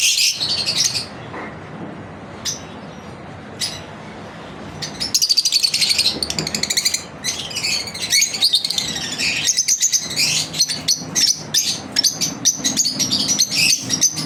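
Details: Several pet lovebirds chirp through a daily routine: scattered shrill notes at first, then dense, overlapping high chatter of rapid repeated chips that keeps going with only short breaks, some buzzy squeaks mixed in.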